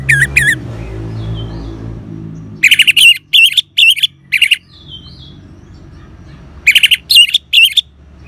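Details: Orange-headed thrush giving ngeban style sounds, used to stimulate caged birds to sing: clusters of harsh, squawky notes with wavering tones, separated by pauses of several seconds, with a faint low hum at the start.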